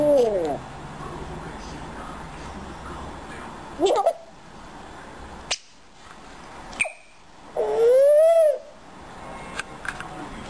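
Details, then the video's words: A talking female grey parrot speaks Russian in a few short, voice-like bursts, then gives a loud whistle that swoops up and falls back; quiet room noise fills the gaps. "говорящий Жако"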